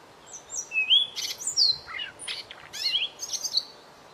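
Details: White-rumped shama tutor song: varied rich whistled notes, rising and falling slurs, buzzy rattles and sharp clicks, delivered in a lively stream of roughly 88 notes per minute.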